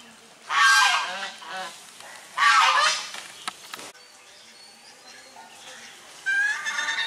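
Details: Domestic swan geese drying their bodies beside grey domestic geese, recorded on a Sony HDR camera; two loud rasping honks close together, a quieter stretch with faint calls, then a fresh burst of honking.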